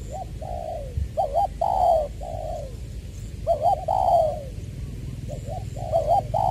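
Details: Spotted dove decoy bird, Tra Vinh, Long Duc, Vietnam, 'Tieu' voice style, 22 February 2021: mellow descending coos mixed with quick double notes, about three phrases, a single low thump early on, steady background hum.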